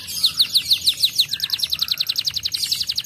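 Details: Griwik canary song used to stir other canaries into singing. Fast, regular high notes repeat about five or six times per second in a continuous, slightly descending trill.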